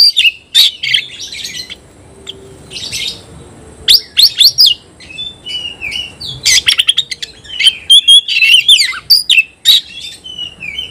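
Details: Oriental magpie-robin in a singing contest with a rival, delivering a long varied stream of sharp chips, slurred whistles and harsh chattering bursts separated by brief pauses.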